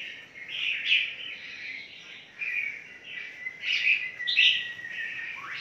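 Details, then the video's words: Caged red-whiskered bulbul in a big breeding aviary in Phetchaburi province, uttering a continuous, cheerful chirping warble with a few long, drawn whistled slurs and a rising note at the end, over soft hiss. "KANDANG PENANGKARAN BURUNG MERBAH JAMBUL KUTILANG JAMBUL TERBESAR"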